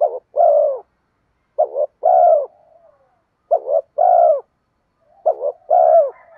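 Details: Spotted dove coo used to attract wild doves: four evenly repeated phrases, roughly one every 1.8 seconds, each a short stuttering note then a longer mellow downslurred coo, with brief soft murmurs between and otherwise quiet.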